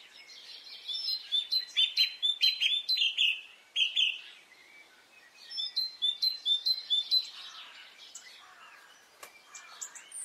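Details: Spring morning birds in Brittany: two dense bursts of rapid chirps and high flicked notes, separated by a pause, with quieter calls and a single sharp click near the end.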